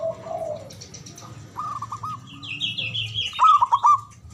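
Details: Local Javanese zebra dove, loud and long-breathed, kept as a lure to get silent doves singing: two brief phrases of quick, bubbling coos separated by a pause, with higher twittering from other birds in between.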